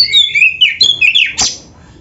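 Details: White-rumped shama singing: brisk sequence of slurred whistled notes stepping through mid-high pitches, ending in a harsh buzzy note and sudden quiet.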